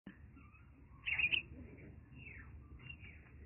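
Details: A baby common myna, rescued from a broken arecanut tree, gives a quick burst of harsh, scratchy chirps, then a few fainter squeaky notes, over a low background rumble.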